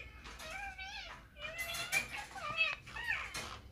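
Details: Ringneck parakeet, a green parrot, speaking on a mobile phone: several high, drawn-out, word-like sounds, some falling in pitch, with a soft background hiss.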